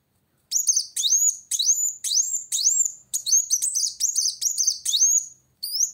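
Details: Kolibri wulung, a sunbird, in energetic challenging song toward a rival: a steady series of high upward-sweeping whistles, about two each second, each topped with a brief squeaky flourish.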